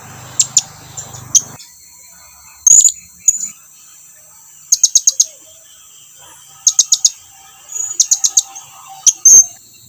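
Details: Blue-crowned hanging parrot summoning its flock mates closer: shrill, very high ticks in rapid runs of three or four, with a few single drawn-out squeaky notes between them.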